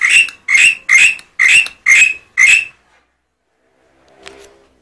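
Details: Tame black-winged myna bobbing its head while singing loudly: six harsh, rasping, broadband notes in a steady run about every half second, then silence broken by a faint soft knock.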